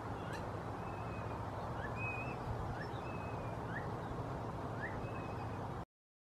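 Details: A male Phainopepla on Los Alamos Road (92563), hearing no reply, calls ever more insistently: soft, short, rising whistled notes about once a second over a steady low rumble of traffic or wind.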